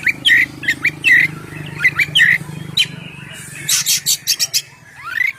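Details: Oriental magpie-robin (kacer) song in the ngeplong style, used to lure birds: short sharp whistled notes in bursts, then a run of quick harsh chattering notes over a low background hum.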